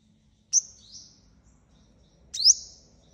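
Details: Sunbird lure call used for trapping wild birds: two brief, very high thin notes, each a sharp downward-sliding zip trailing into a fading whistle, about two seconds apart, over faint low hum.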